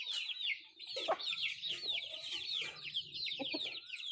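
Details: Country chickens at food, giving a fast, overlapping run of shrill, arched peeps with a few soft clucks and pecking taps underneath.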